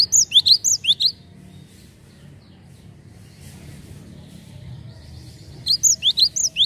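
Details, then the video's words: Java sparrow calls used as a lure for untrained birds: quick runs of high, bright chirps in two bursts, roughly three per second, separated by a quiet stretch of faint low rumble. "PANCINGAN GELATIK BAHAN"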